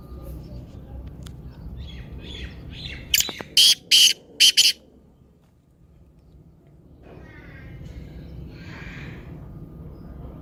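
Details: Black francolin voice played to stimulate a caged bird: a short run of four or five harsh, scratchy notes midway, surrounded by faint hiss and a few soft distant chirps.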